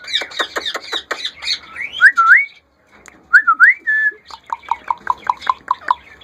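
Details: A hand-tame female Indian rose-ringed parakeet, kept as a talking pet, gives a run of harsh squawks, then two clear rising whistles, ending in a quick string of nasal, chattering notes.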